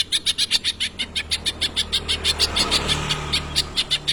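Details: Greater green leafbird in full voice, its song filled with tengkek imitations: a rapid, steady chatter of sharp high notes, roughly three per second, running on without pause over a faint low hum.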